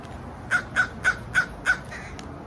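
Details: Five loud, harsh crow caws evenly spaced about a third of a second apart, each short and rasping, against a quiet background.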